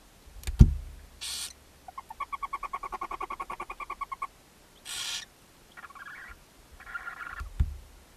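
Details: Barn owl nest box on a chimney in Ságvár, Hungary, May 4, 2024, as the mother feeds seven owlets: thumps, harsh hisses, a steady rapid chittering run and short nasal twitters, recorded by a nest camera.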